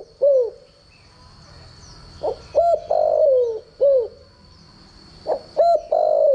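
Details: Decoy spotted dove giving its standard cooing for training other doves: rising hollow notes followed by long slurred descending coos, phrases separated by pauses, with a constant thin whine in the background.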